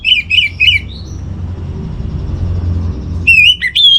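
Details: Orange-headed thrush training song used to settle a home-kept bird's emotions and breeding drive: three sharp, ringing whistled notes open, a quiet hum-filled pause follows, then loud warbled whistles return.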